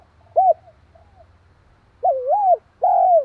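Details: Spotted dove calling to provoke a rival dove. A short, soft coo comes first, then a gap, then a dipping, wavering coo and a long, steady coo that falls slightly at the end.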